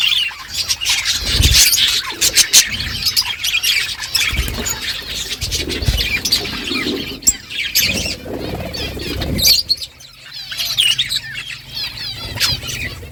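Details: A flock of budgerigars chattering in the morning, birds calling to each other: dense, overlapping high chirps and warbles, with bursts of wing flapping and scuffling throughout.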